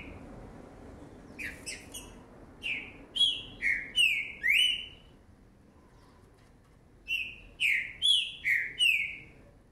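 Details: Young Green-winged saltator kept in a cage, noted as a 2019 revelation, sings two bursts of clear whistled notes, each burst about five quick slurred phrases, separated by a few seconds of quiet.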